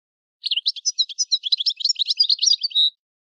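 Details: European goldfinch delivering a continuous, fast, jangling twitter of varied notes for about two and a half seconds, finishing on a drawn-out buzzy note; no background noise.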